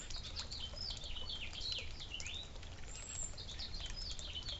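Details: Several suburban birds at a feeder and water fountain chatter with dense, high, sliding chirps in fast bursts, a brief pause mid-way, then more twittering over low rumbling outdoor noise.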